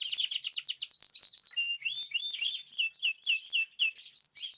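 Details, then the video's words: Caged birds singing together, kept on a varied natural diet; fast high trills of repeated notes, then a flat tone and a series of sharp rising and falling whistled chirps, recorded 14 March 2026. "تغريد جماعي للطيور"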